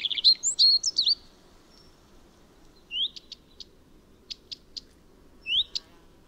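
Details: A common redstart opens with a loud burst of sweet chirping notes. After a pause come single rising whistles, each followed by sharp ticking clicks, over a faint hum.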